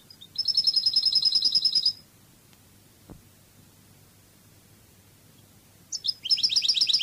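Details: European goldfinch singing in the Cádiz song style of Spain, a recording for teaching song: two bursts of rapid, high, tinkling and slightly buzzy twittering trills, each about one and a half seconds, separated by four seconds of near silence with a faint low hum.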